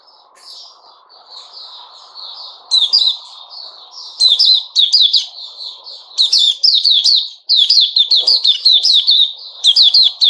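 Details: Caged sooty-headed bulbul singing in a small room: soft warbling at first, then loud bursts of quick, slurred, bubbling notes in rapid chattering phrases, with a steady low hum underneath.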